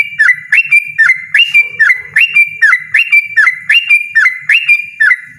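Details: Persistent, loud ropel song of a yellow-vented bulbul, made of bright warbled whistles that rise then drop, repeated rhythmically about once a second, with a soft low background murmur.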